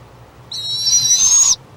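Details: Young barred owl inside a nest box at Lake Okeechobee, Florida, 5 March 2017, hollering at its sibling that ventured outside: a single harsh, raspy, hissing screech lasting about one second, high-pitched and rising slightly toward the end.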